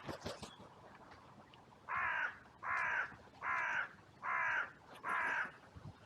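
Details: Trail-camera recording of crows in a cemetery on a sunny day, reacting with an outcry after two crows fought. Five harsh, even caws come at a steady rhythm, each lasting about half a second.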